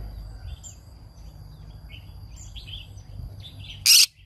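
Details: Morning song from a green-cheeked conure: scattered soft squeaks and chirps, building toward a single loud, harsh screech at the very end.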